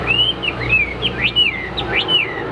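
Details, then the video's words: Caged Hwamei, a bird tested in fighting display, sings a loud series of slurred whistles that rise and fall, with several looping phrases over a faint low hum. "Đẹp đấu xòe chất giọng cực hay"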